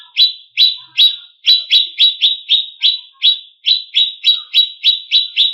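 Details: Cucak cungkok, greater green leafbird, from a master recording to provoke competition birds: sharp, downward-slurred chip notes repeated about three to four times a second in a steady, insistent series.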